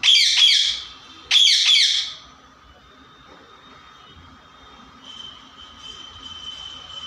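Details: Pet parrot letting out two loud, harsh squawks in quick succession, then falling quiet apart from a faint, steady high tone that continues to the end.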